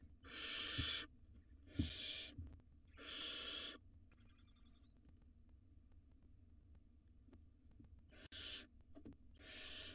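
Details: Barn owl nestlings, wild, in a monitored nest box while swallowing rodents; a series of rasping hisses, three in the first four seconds, a softer one, then two more near the end, with thumps.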